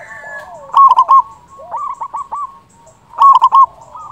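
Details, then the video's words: Local zebra dove singing loudly and steadily, a lure sound for trapping other doves: two bursts of loud rolling coos with softer trilled cooing between them. "Perkutut lokal gacor suara besar"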